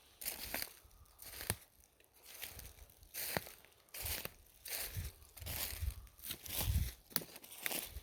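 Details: Crunching footsteps and crinkling rustles sound outdoors at uneven intervals, with no clear animal call.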